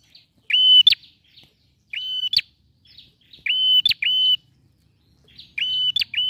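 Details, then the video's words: Bar-winged prinia, a male singing persistently, used to coax a quiet bird into song: four bursts of clear level whistles snapped off by sharp clicks, spaced about every one and a half seconds. "PRENJAK JANTAN GACOR"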